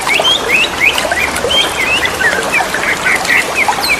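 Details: Greater green leafbirds calling to each other in the wild by running water; rapid clear whistled notes, short upslurs and downslurs in quick succession, with water murmuring underneath.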